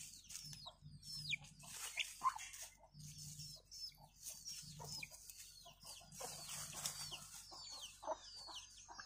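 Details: Chicks trailing their mother hen as she searches for food. High, downward-slurred peeps come in irregular bursts, and soft low pulses recur beneath them through the recording.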